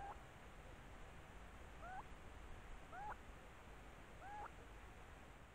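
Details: Nesting Stone-curlew giving three spaced, curved whistled notes that each sweep upward, roughly one per second, against constant low background noise.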